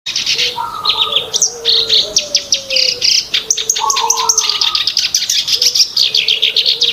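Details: Black-browed reed warbler song used as a lure for trapping birds: dense, fast chattering of harsh buzzy and scratchy high notes, with a separate lower whistled tone sliding slightly down running underneath.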